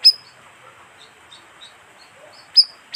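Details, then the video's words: Bayeman chirps used to attract wild birds: one sharp high note, a long quiet pause of over two seconds, then two more quick flicked chirps close together. "suara pikat burung bayeman"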